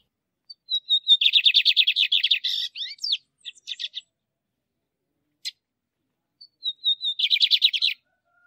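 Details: Male lined seedeater song used to stimulate and train caged birds: a few thin whistled lead-in notes, then a fast buzzy trill of rapidly repeated notes, ending in squeaky twitters; the phrase repeats after a pause.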